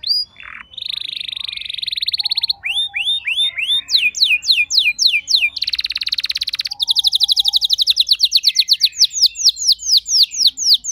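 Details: Domestic canary rolling long in reply to another bird, mixing buzzy trills, looping whistled sweeps, and a fast run of repeated falling notes.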